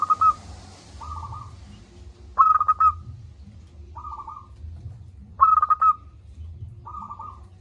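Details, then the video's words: Local zebra dove singing loudly and persistently, recorded to coax lazy doves into calling: two stuttering cooed phrases, each answered by a softer rolling coo, about three seconds apart, with a low murmur beneath. "Perkutut lokal gacor suara besar - Masteran Ampuh Mengatasi perkutut Malas bunyi."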